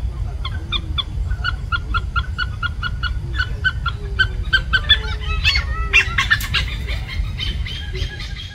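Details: Oriental pied hornbill calling in Singapore; a rapid run of short, harsh, nasal notes about three to four per second, building into louder squawking bursts near the end, over a steady low rumble of background noise.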